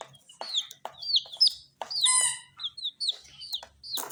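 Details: Tiny dyed chicks eating spicy Sun Poppers. Loud, clear, descending peeps come in short bursts, one longer, rich, buzzy chirp stands out midway, and pecking clicks sound between them.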